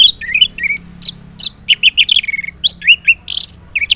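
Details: Orange-headed thrush singing in the morning, used as a lure so silent males answer: a fast varied run of loud whistled and warbled notes, rising and falling slurs, with short buzzy bursts, continuous over four seconds.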